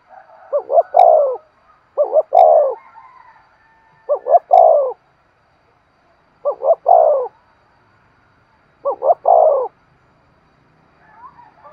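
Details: Spotted dove calling in the lively 'thúc' style used to stimulate decoy birds and train lure birds: five repeated phrases about every two seconds, each short doubled notes then a longer falling coo, with faint clicks.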